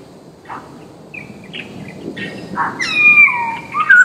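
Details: Masked laughingthrush lure call, natural: quiet scattered chirps build into loud, drawn-out whistled notes that slide downward, with a bright final whistle near the end.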